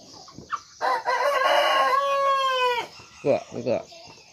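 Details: Ornamental rooster of junglefowl descent crossed with bantam and Serama lines, known for crowing often: one strong, steady harmonic crow of about two seconds ending in a sliding tail, then two short clucking bursts.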